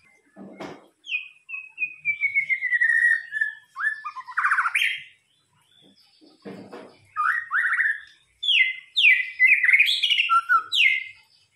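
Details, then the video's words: Murai batu or white-rumped shama lure song: long descending whistled glide, then varied rich slurred notes and quick repeated phrases, with a couple of clicking knocks in between. "pancingan murai batu"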